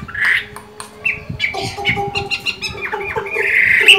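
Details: A Chinese hwamei still singing well while moulting gives a rich, varied run of loud whistled phrases, slurred notes and harsh squawky bursts, with steady low tones underneath.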